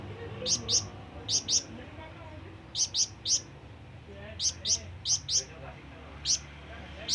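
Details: Calling flamboyan bird used to attract companions or rivals. It gives high, thin chirps in pairs and triplets, separated by short gaps of about a second, over low background rumble.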